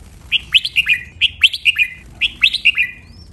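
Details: Training song of a red-whiskered bulbul, a double phrase with counted notes: three repeated bubbly phrases, about one per second, each of four or five clear whistled notes sweeping up and down.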